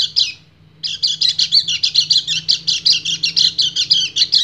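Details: After one short chirp and a brief pause, a male white-eye races into a rapid ngebren chatter of bright, buzzy notes, singing to a female in breeding condition.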